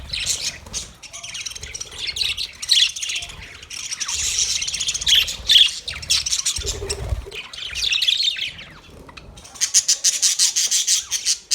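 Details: Budgerigar colony of 30 pairs in full chatter: overlapping high chirps and squawks in bursts, a brief lull near the middle, then rapid clipped chirps resuming toward the end.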